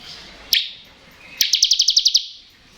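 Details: A crystal bar-winged prinia in ngebren song, meant to prompt reluctant birds to sing: one sharp chip, then a quick run of about nine high, evenly spaced ticking notes.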